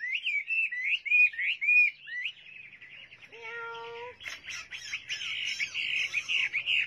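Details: Chinese hwamei song opening with bright looping whistles, then a softer buzzy trill with a brief low mewing note, ending in a dense, rapid warbling stream.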